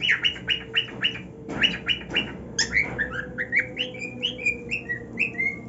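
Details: Cockatiel, a caged male pleased with his new nest, opens with quick harsh chattering squawks, then moves into a run of clear rising whistled notes spaced about half a second apart.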